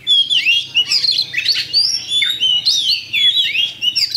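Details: Oriental magpie-robin, a champion kacer, singing a pancingan lure song to provoke fighting: loud bursts of sweeping, twisting whistles and sharp chirps come in quick phrases about every half second over a soft low hum.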